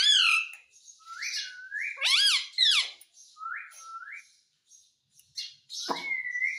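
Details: Pet Indian ringneck parakeet that is taught Hindi words gives clear rising whistled notes, several short upslurs and a level whistle, between harsh harmonic squawks and brief rasps, with short silences.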